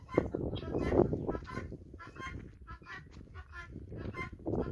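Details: Farm guinea fowl flock trailing after a hen, giving clipped, nasal, rasping notes in quick irregular succession over steady low rumbling background noise.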